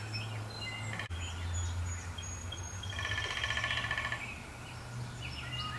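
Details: Male downy woodpecker on a 150-year-old black walnut in Appalachian terraced farmland gives a single fast drum roll of a little over a second, with a low steady hum and a brief click earlier.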